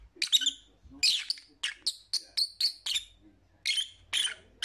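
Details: Shrill chirping of pet lovebirds, a run of short harsh high notes roughly every quarter second, broken by pauses, with a faint low squeak in between.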